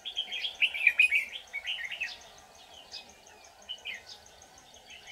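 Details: Red-whiskered bulbul decoy at a bird trap, 24 July 2019. A loud, hurried jumble of chirpy whistles and trills at the start, fading to scattered softer slurred notes.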